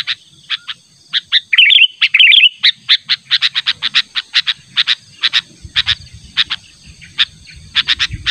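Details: Natural lure call of a Sooty-headed bulbul insistently calling a rival: brisk series of sharp, evenly loud chips with two short liquid warbled bursts early on, faint low background noise.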